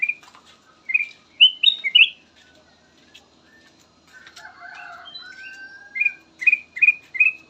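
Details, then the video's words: Kutilang emas bulbul giving its melodious lure song: clipped whistled notes, a quieter stretch with a long low whistle, then four evenly spaced bright chirps, with rustling like wing flaps. "VARIASI KICAUAN BURUNG KUTILANG EMAS SYAHDU DAN COCOK BUAT PANCINGAN"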